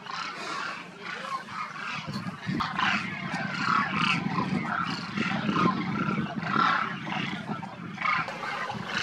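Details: Large wintering flock of Demoiselle cranes near Kheechan village, Rajasthan desert, India, after migrating south of the Himalaya from Mongolia: overlapping croaking, rolling trumpet-like calls in a constant, rough chorus with no pauses.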